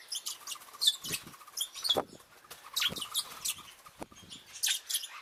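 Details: Several Bourke's parrots give a steady run of soft, high chirps and twitters, overlapping, with brief fluttering wingbeats in between.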